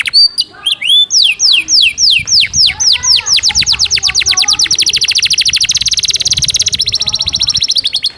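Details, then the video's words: Canary trained with Java sparrow (gelatik batu) song fill-in, fast and dense style: loud series of downslurred whistles speeding into rapid rattling trills, then a buzzy fast-repeated phrase with fine high notes above. "SUARA BURUNG KENARI ISIAN GELATIK BATU SPEED RAPAT"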